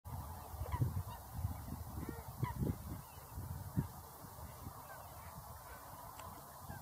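Whooper swans give a handful of low, brassy honks over the first four seconds, irregularly spaced, against a steady low rumble.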